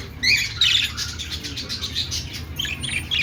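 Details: Budgie chirping and warbling in a continuous jumble of short, scratchy, overlapping notes with no steady rhythm, plus a low hum in the background.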